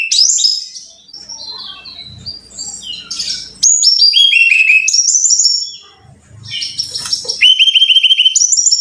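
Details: Brown-chested jungle flycatcher song used as a training lure to get caged birds singing diligently: cascades of high, bright whistled notes stepping downward, mixed with varied chirpy phrases and a faint low hum beneath.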